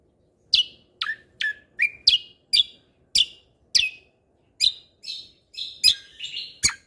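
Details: Lesser green leafbird singing in the gacor tembakan style for tutoring birds: a crisp series of evenly spaced, downward-slurred whistled chips, roughly two per second, ending in a quicker jumbled flourish. Clean and quiet background.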